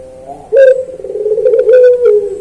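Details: Puter dove (collared dove) cooing in pelung style as a master for pet birds: a quiet start, then one long, low, steady coo running nearly two seconds, with clicking sounds.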